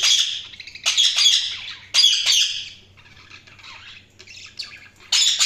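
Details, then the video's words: Loud harsh budgerigar squawks come in bursts about a second apart, broken by a quieter stretch of scratchy warbling before a final squawk. "Budgies Sounds| Budgies Chirping sound"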